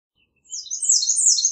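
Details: High, dense twittering from an American redstart, a rapid run of thin overlapping notes that stays loud to the end.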